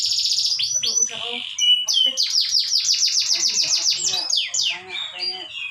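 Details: Canary singing to prompt a response from other canaries: high fast trills, then a long run of rapid repeated downward-swept notes and varied twittering.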